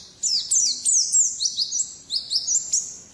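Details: Loud, close wild-type 'ngalas' song of a pleci or Oriental white-eye: fast continuous twittering of high sliding notes and sweeps, nearly without breaks.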